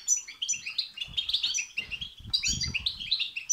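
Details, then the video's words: Fast, dense European goldfinch twittering in the 'betbeta' and 'setseta' style, played to rouse a goldfinch into song; tumbling liquid chirps and tinkling notes overlap without pause, with soft low knocks underneath. "بتبتة وستستة تخرج الحسون عن السيطره..... هيجان خرااافي تسببه هذه البتبتة نار على نار سيغرد حسونك"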